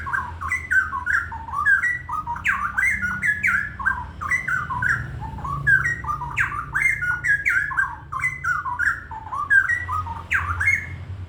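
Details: Straw-headed bulbul, described as singing very actively, pouring out a continuous run of loud, rich, bubbling whistled phrases that jump up and down in pitch, over a steady low hum.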